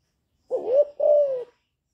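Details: Calling coo of a young spotted dove, chu lèo style, meant to rouse wild doves: a single clear two-part phrase, a short upswept note followed by a longer, slowly falling coo.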